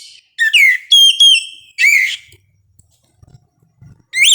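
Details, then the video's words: Dawn song of an Oriental magpie-robin: bright rising whistles and a steady held note in quick bursts, then a pause with faint low knocks before another rising whistle begins. "suara kacer di subuh hari"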